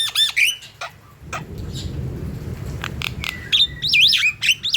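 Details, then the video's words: Javan myna in lively song, played to lure and train other mynas: rising and falling looping whistles and clicks, a brief stretch of low rumbling background noise, then more wavering whistled phrases. "Jalbo gacor | Coba,.Untuk pancingan burung jalak kebo ombyokan dan bahan"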